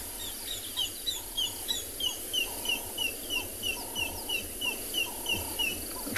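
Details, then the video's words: African grey hornbill at sunset on 14 March in Tswalu Kalahari Reserve, South Africa: a long, steady series of thin, high, down-slurred piping whistles, about three a second, over lower soft notes from another bird. "That whistling you can hear is a grey hornbill, a beautiful call."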